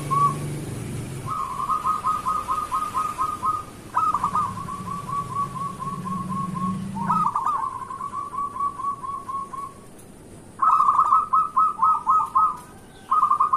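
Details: Active local zebra dove song as a morning lure: a long series of rhythmic bubbling coo phrases, rapid pulsed notes in each, with a low hum early on.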